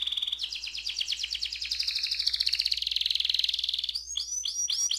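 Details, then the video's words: Canary singing a long rolled song: a fast, even trill of rapid notes held for nearly four seconds around a steady high pitch, then breaking into quick sweeping whistled phrases. "KENARI AF ngerol panjang"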